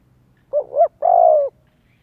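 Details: Spotted dove used for luring wild doves and training young birds: a low cooing phrase, a short wavering double coo followed by a longer, steady, slightly falling coo, clean with little background.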